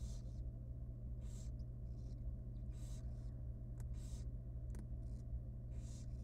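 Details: Very young wild barn owl at feeding time in a monitored nest box makes repeated short rasping hisses, some doubled, roughly every second, with sharp clicks and a steady low hum behind.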